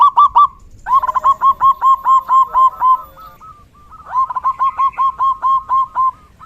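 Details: Zebra dove singing in the rainy season, a loud run of quick, rhythmic cooing notes near one kilohertz, repeated in two long bursts with a short pause between, no other sounds.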